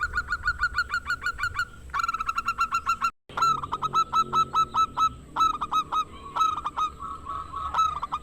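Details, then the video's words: Local zebra dove with a big voice, meant to spark song in quiet rivals: rapid trains of short hooked coos, a brief break, then more clipped series and bursts, over a faint steady electrical whine. "Perkutut GACOR ampuh buat pancingan perkutut macet"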